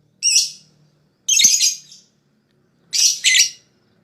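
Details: Lovebird sound meant to provoke other lovebirds into fast 'ngekek' song: three bursts of loud, scratchy high-pitched squawking, the last one a quick double note.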